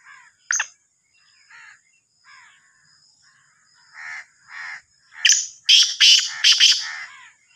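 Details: Black francolin (Sindhi kala teetar, Sahiwal teetar). Several quieter grating notes are spaced out at first, then a loud crescendo of five harsh, rasping notes follows in rapid succession. A thin steady hiss is in the background.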